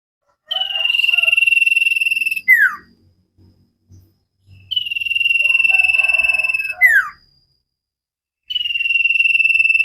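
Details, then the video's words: Common iora singing sirtu-style for cage-bird training: three long, evenly pulsed whistled trills, each about two seconds, the first two closing with a steep falling slurred note. "Burung cipow sirtu masteran Gacorrr banget"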